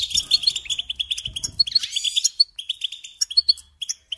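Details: European goldfinch tutor song: quick tinkling twitters and a descending buzzy slur in the first two and a half seconds, then spaced short bursts of bright chirping notes.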